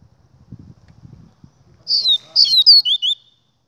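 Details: After soft low thumps, a Double-collared seedeater bursts into a short phrase of clear, high whistles. Most notes drop in pitch, and the phrase closes with two lower slurred notes.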